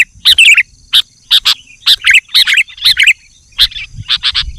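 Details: Sooty-headed bulbul singing energetically to attract wild birds of its kind, short bright chirps and twittering phrases repeated about once a second, with a faint low rumble beneath.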